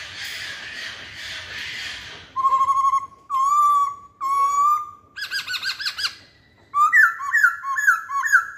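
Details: Masked laughingthrush lure song. After a noisy start come three long, level, ringing whistles, a burst of throaty rolling notes, and finally a fast chain of upslurred whistles.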